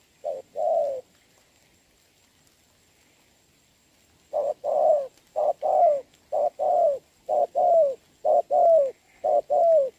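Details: Spotted dove cooing during rain, 26 November 2022, as a trained decoy works on a wild bird at a trap. One coo pair, a pause, then a rapid run of short-long coo pairs, evenly paced.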